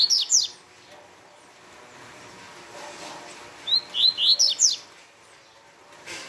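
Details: Fast Tui Tui song of a double-collared seedeater: a short tail of high rising notes, then a long quiet gap before a new burst of five quick, sharp upslurred chirps.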